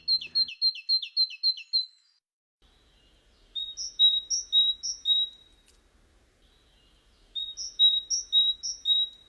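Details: A great tit sings in woodland in early spring, bright two-note 'teacher teacher' phrases, high then lower, in three bursts; the first burst is faster and more clipped.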